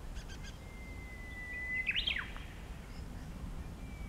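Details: Japanese bush warbler singing right in front of the recorder on 5 April 2016: one long, level, drawn-out whistle followed by a quick, loud, looping two-part flourish, then quiet with low background rumble.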